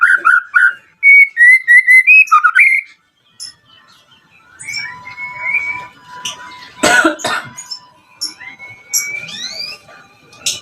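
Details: White-rumped shama song meant to draw a response from rival shamas: a burst of loud, pure whistled slurs in quick succession, then softer scattered whistles and a harsh noisy break.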